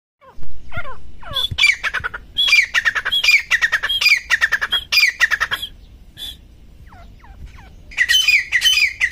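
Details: Grey francolin calling in jungle: harsh, squawking notes in loud rhythmic bursts with clear pauses, some short rising whistled notes early on, and a final burst of calling near the end.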